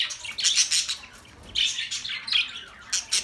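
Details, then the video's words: Budgerigar chatter made of quick, bright, scratchy chirps and short warbled phrases in three or four close bursts, with brief quiet gaps between them. "Budgie Sounds for lonely Birds"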